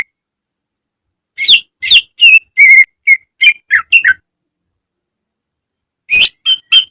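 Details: Greater green leafbird song recorded to train caged birds to sing daily. A run of about a dozen notes mixes harsh, buzzy bursts with clear whistles near one pitch. Quiet follows, then four more sharp notes.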